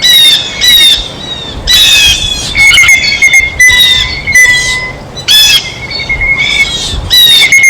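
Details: Repeated harsh blue jay squawks at a feeder where the bird is feeding: rasping bursts roughly once a second, some longer and buzzier, over a soft steady whistle.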